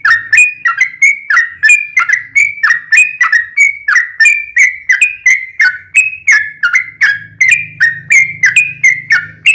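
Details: Yellow-vented bulbul giving rapid 'ropelan' song with 'ngelituk' fills, used to train kept birds. A continuous chain of sharp, bright, down-slurred notes, about three per second, runs over a low hum in the background.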